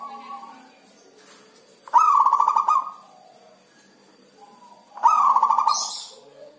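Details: Zebra dove kept by a fancier, which sings rarely in the rainy season; two bursts of rapid, trilled cooing phrases around two and five seconds, separated by quiet, with faint other bird notes in the background.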